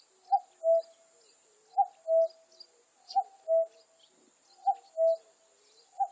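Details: Two-note cuckoo call, a bright short upper note falling to a held lower note, repeated roughly every 1.4 seconds for four and a half pairs, over a constant high hiss with scattered faint bird chirps.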